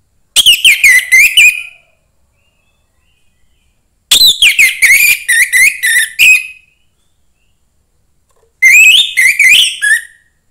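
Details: Young forest orange-headed thrush singing three bursts of fast, varied whistled phrases, each about two seconds long and separated by pauses of roughly two seconds of silence.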